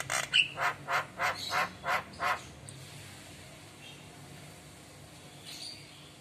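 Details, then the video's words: ["Javan myna responding to another myna's lure calls with head-nodding. It gives a run of about eight harsh, evenly spaced squawks lasting two seconds, followed by quiet background hiss."] "Jalak Kebo Isian Gacor Reaksi Mangut Manggut Pancingan Jalak Lain Pasti Nyaut"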